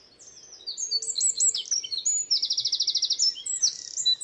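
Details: A Eurasian wren in Ireland, a very small garden bird with a very loud voice, pours out a loud, rapid song of high, sharp notes and a fast rattling trill in one energetic burst.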